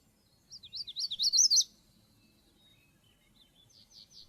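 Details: Magnolia warbler singing a quick one-second phrase of about ten high, sweet slurred notes that grow louder toward an abrupt end, followed by quiet and a few faint high notes near the close.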